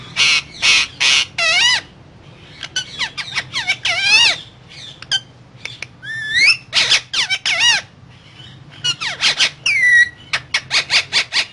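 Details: Parrot giving a long, varied string of sounds: broad raspy squawks alternating with wavering, bending whistled notes and short clipped chirps, ending in a rapid series of evenly spaced harsh calls over a faint hum.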